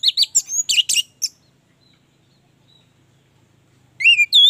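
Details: Orange-headed thrush, a caged songbird: rapid harsh chattering notes at the start, a low hum in the quiet middle, then loud rising whistled phrases.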